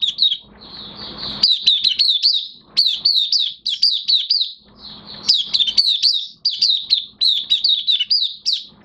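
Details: Oriental white-eye in minor moult in full song: long run of high, sweet, wavering down-slurred notes, nearly continuous with short breaks, plus a soft noisy rustle early on.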